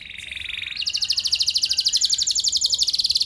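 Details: Canary singing to prompt other canaries to respond: a soft rolling trill rising into a loud, fast, pulsing high trill repeated steadily for several seconds.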